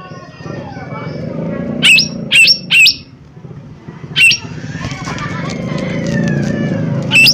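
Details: Lesser green leafbird (cucak ijo mini) giving lure calls over steady low rumbling background noise. Three sharp rasping notes close together, then two single notes several seconds apart.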